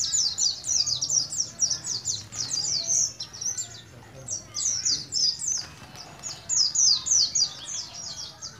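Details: Pleci from Moga in Pemalang, Central Java, a young kept bird starting to learn ngalas ngeroll song. Quick, thin, high chirps come in tight bursts of twittering, about four notes per second, with brief gaps between phrases.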